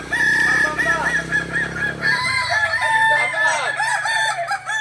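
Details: Kokok Balenggek roosters in Ampang Kualo, Kota Solok, crow at a group practice session. A bright sustained note with curving syllables sits over a low droning hum that stops after two seconds. Overlapping crows continue after it.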